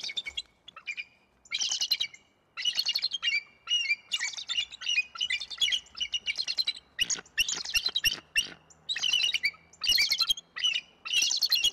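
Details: Bald eagle pair in Decorah, Iowa, 21 November 2022, chasing away an intruder with loud, repeated bursts of shrill, piping chatter, each volley about a second long separated by brief gaps.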